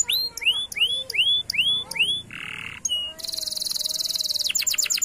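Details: Canary lure song to get non-singing canaries singing: rising whistled slurs repeated quickly, a short buzzy block, a long rapid rattling trill, then quick clipped whistles.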